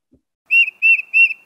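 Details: Tufted Titmouse, a small gray bird of urban parks and arboretums, singing its whistled 'peter peter peter' song: three clear, steady high whistled notes evenly spaced about a third of a second apart, otherwise quiet.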